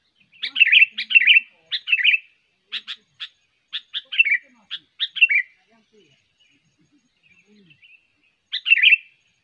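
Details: Sooty-headed bulbul, a trained bird kept for luring, pours out rapid, cheerful phrases of rolling notes, then a string of crisp single chips, and after a pause one more warbled phrase. Faint low murmuring lies underneath.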